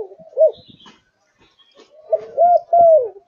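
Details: Kept zebra dove singing, one short coo followed by faint rustling, then a closing phrase of rolling, slightly falling coo notes.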